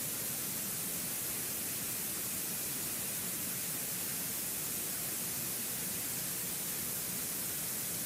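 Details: Only an even, quiet static hiss is heard, with no animal sounds.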